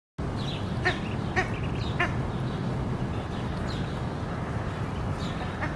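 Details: Ruddy shelduck (Tadorna ferruginea) with ducklings, giving three short, nasal honking calls about half a second apart, with faint high peeps, over a steady low rumble of wind or water.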